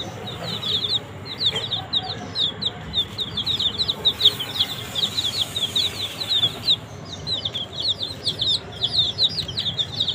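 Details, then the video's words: A group of baby chicks eats green leaf, peeping almost nonstop. Thin, high, downward-slurred chirps crowd together for about ten seconds, with a brief lull before the chorus picks up again. "Baby Chicks Eat Green Leaf"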